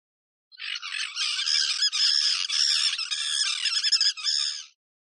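A tern gives a harsh, grating run of raspy, scratchy notes, strung together for about four seconds.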